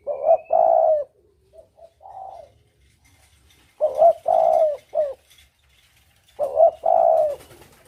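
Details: Spotted dove lure call, double 'kuk' style: three phrases of low hollow coos about three seconds apart, each a short coo then a longer sustained one and a brief closing note, with faint background clicks.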